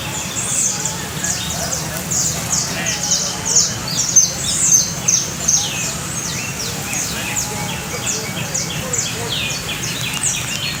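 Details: Canary trilling: quick downward-sweeping high notes repeated throughout, about a hundred a minute, with steady low background noise.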